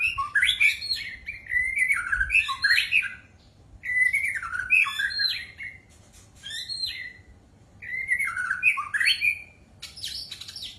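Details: White-rumped shama singing a loud, varied song in three bursts separated by brief pauses. Each burst mixes twisting whistles, chattering notes and scratchy high squeaks.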